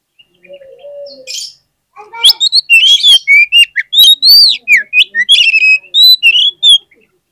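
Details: Oriental magpie-robin lure song meant to prompt other magpie-robins to sing: after a soft low whistle, a long loud run of varied whistled and warbled notes, rising and falling, delivered rapidly for about five seconds.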